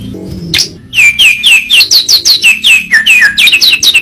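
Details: White-rumped shama (murai batu) song used as a training recording for caged birds: a loud series of about a dozen sharp, downslurred whistled notes, each sweeping from high to lower pitch, repeated rapidly after a brief opening note.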